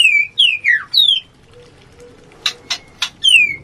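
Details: White-rumped shama mating song for raising breeding urge: four clear descending whistles, a quiet gap, three sharp clicks, then one more falling whistle.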